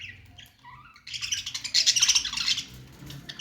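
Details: Budgie song opening with a few soft downslurred chirps, then breaking into a loud, fast, buzzy chattering warble with rapid repeated squeaky notes before fading to quieter chatter.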